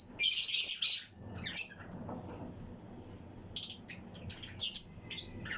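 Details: Fischer's and Lutino lovebirds in a breeding colony flight aviary chirp and sing with nearby birds: a loud, harsh, high screech opens, then scattered short sharp chirps over faint low background hum.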